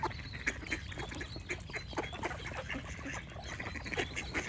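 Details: Ducks give rough, nasal quacks in close succession while birds chirp in short high notes above them, over a continuous hiss.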